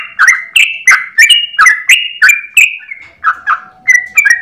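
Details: Sooty-headed bulbul singing a rapid 'ropel' phrase in the morning: quick, bright whistled notes with clicky starts, about three per second, briefly slowing and softening near the end before resuming.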